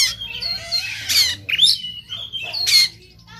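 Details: White-rumped shama of Sumatran type singing aggressively while fighting, tail spread: buzzy harsh blasts mixed with short rising whistles and a twisting slurred note.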